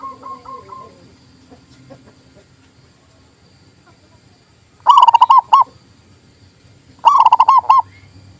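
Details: Local zebra dove song, played to prompt silent doves into singing: two loud bursts of about six rapid, clipped cooing notes, each burst under a second, separated by roughly two seconds of quiet with soft background hum.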